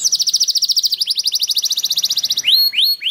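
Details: Lure recording of a canary song: a long, fast, even trill of bright repeated notes gliding slightly downward, followed by three loud upswept whistles.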